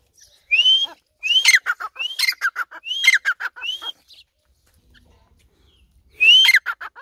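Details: Grey francolin giving loud, sharp whistled notes that rise steeply, each followed by a rapid run of falling clipped notes. Phrases repeat in a quick series, then a pause of about two seconds before another phrase begins.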